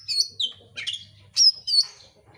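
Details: Oriental magpie-robin singing to trigger a reply from another bird: a quick string of loud high whistles, slurred descending notes and raspy bursts packed into a short phrase.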